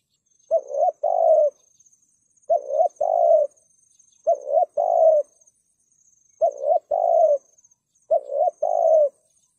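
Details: Spotted dove, a caged call bird used to lure wild doves and other birds, giving a driving 'thúc gù' coo: low two-part phrases, a short rising note then a longer wavering coo, repeated about every two seconds, with a faint steady high whine behind.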